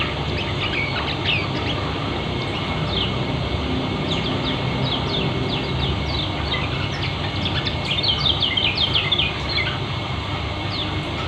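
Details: Lombok white-eye, called kecial kuning, in the fast, dense ngeriwik speed rapat style used as song therapy: rapid high twittering chirps sliding up and down, thickest after eight seconds, over a steady low hum and background noise.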